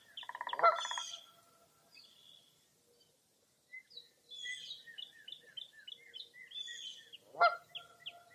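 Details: Mirror Lake in Baraboo, Wisconsin, early on a foggy April morning: a buzzy pulsed rattle opens, followed by a near-silent pause, then a run of quick high chirps and one closing loud honk.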